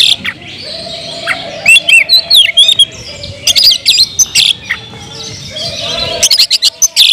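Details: Loud kemrayak singing of an Oriental magpie-robin, meant to provoke other magpie-robins: twisting whistled phrases and rapid harsh rasping bursts repeated in quick succession, with a steady low hum in the background.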